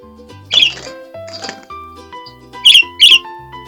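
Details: Budgerigar, a young green male in his first week in a new home and just starting to make sounds, gives a few short, bright chirps in quick bursts, two sharp ones close together near the end, over background music.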